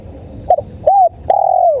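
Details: Lure recording of a spotted dove (tekukur): a clipped double hoot, a rounded swelling coo, then a long level coo that trails downward, against faint low rumble.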